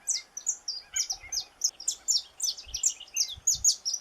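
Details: Lively song of a saffron finch, a Brazilian native bird: crisp, high chirps repeated about three times per second in a steady, energetic run, with faint low thumps.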